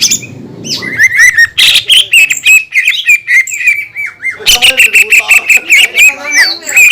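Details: Green leafbird pouring out a provocative song to stir rival leafbirds: low background hum at first, then a busy stream of squeaky whistles, chatters and sharp clicks in rapid succession.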